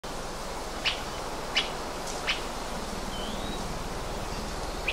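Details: Hawaii Elepaio of the ridgwayi subspecies, in upland rainforest on the Big Island of Hawaii: three sharp, short, high chips about a second apart, one thin rising slur, and a last chip, over a steady low forest hiss.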